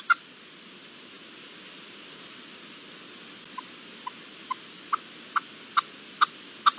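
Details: Free-living red-legged partridge recorded in March 2022: after a lone note and a pause, a series of short clipped chuck notes that grow louder and come faster, about two per second.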